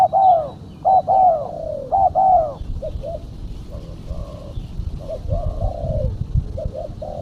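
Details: Female spotted dove calling as a lure for catching doves: loud arched coos at first, then softer short-long coo phrases repeating, with faint high chirps and low background noise.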